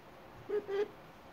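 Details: A male pet hyacinth macaw, out on a balcony and trying to say his name and other words, talks in two quick, low, voice-like syllables, the second slightly longer and steadier, against quiet surroundings.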